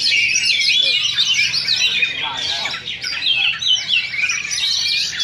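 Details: Oriental magpie-robin contest singing during a Sunday practice duel, second session, in Sindanglaut. A nonstop torrent of high whistles, trills and scratchy chatters overlaps heavily, with a low murmur of people beneath.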